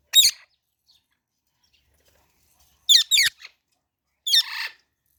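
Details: Baby parrot: short, bright, high-pitched chirps, one alone, then a quick pair, then a longer, buzzier chirp trailing off.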